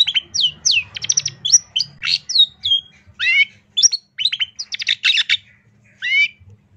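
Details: Long-tailed shrike in a full tembakan master recording for training songbirds. It delivers a fast, varied stream of sharp chirps, rattling trills and downslurred whistles, with brief gaps between phrases.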